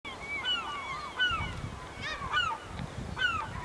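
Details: Black-tailed gulls, over a hundred at a harbour in Hokkaido, Japan, recorded August 2010, crying together: overlapping mewing, downslurred nasal calls with rich harmonics, several birds at once, over low rumbling background noise.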